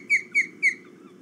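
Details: At dawn on 5 August 2017, ospreys fly around and one lands on a perch; three loud, sharp whistled cheeps, each dropping slightly in pitch, spaced about a quarter second apart, over a faint low hum.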